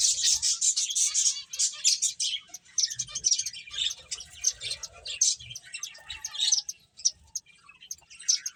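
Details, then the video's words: Several finches playing, giving dense overlapping high chirps and tweets almost nonstop, with short quieter gaps around two and a half and seven seconds. "Cute Birds Chirping Sounds | Beautiful Finches Playing"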